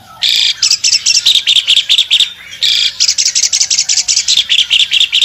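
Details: Wing-spreading albino Asian pied starling in full song: a loud grating burst opens each phrase, followed by quick chattering notes about twice a second. Two phrases are separated by a short quieter gap.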